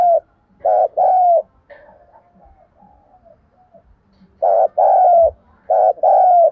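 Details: Spotted dove giving the urgent cooing known as thúc gù, used as a lure for trapping: low hoarse coos in phrases of a short double note and a long drawn coo, two phrases separated by softer murmuring.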